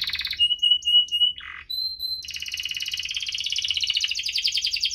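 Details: Canary song in a chirping, rolling style meant to coax canaries that are slow to sing: a short buzzy burst, a few steady clear whistled notes, a harsh rasp, a high pure tone, then a long fast rolling trill.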